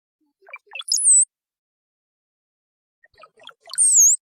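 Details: A male Brown-headed Cowbird sings twice: low, liquid, water-droplet-like gurgling notes climb into a thin, very high slurred whistle, with a pause of about two seconds between phrases.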